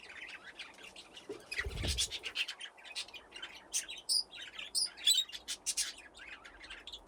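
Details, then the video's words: Budgerigars playing in an aviary give a flurry of sharp chirps, short whistled notes and warbled chatter, with a brief low rumble early on. "Budgies playing in the aviary"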